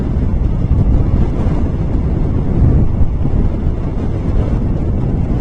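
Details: Heavy, louder wind buffeting roars across the microphone throughout, a constant low rumble with no animal voices.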